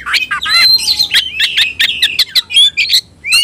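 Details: Oriental magpie-robin singing in combative display: fast series of sharp chips and falling whistles, scratchy buzzes and a thin downslurred whistle, ending after a brief silence with a rising note.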